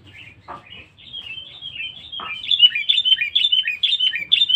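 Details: Sooty-headed bulbul, described as very vocal and fierce, used as a lure bird: a rapid run of short whistled, chattering notes about two per second, growing louder through the second half, with two brief knocking sounds early on.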